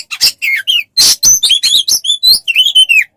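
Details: Oriental magpie-robin singing as a training model for songbirds: rapid mix of scratchy buzzes and clear rising and falling whistles, ending on a drawn-out descending whistle.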